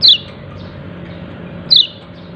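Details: Two sharp, high, quickly falling chirps from a yellow-breasted white-eye calling "ciak ciak", about 1.7 seconds apart, over a quiet low hum.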